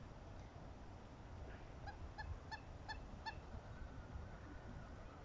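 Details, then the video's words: Southern screamer pair-bonding calls: a short run of about six nasal honks around the two-second mark, spaced roughly every third of a second, then fading into steady low rumble and background noise. "Southern screamer pair-bonding"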